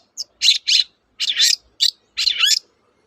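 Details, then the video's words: Long-tailed shrike singing vigorously, used as a lure to prompt reluctant or silent shrikes to sing: six harsh, buzzy, scratchy bursts in uneven pairs and singles, high-pitched, with quiet gaps between them. "BURUNG CENDET GACOR, pancingan ampuh burung cendet"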